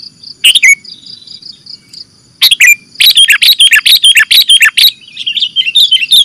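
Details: Lure track for trapping sooty-headed bulbuls: a short chirp, a quiet gap with a faint tonal hum, then a lively string of sharp, bubbly chirps rising and falling at high pitch.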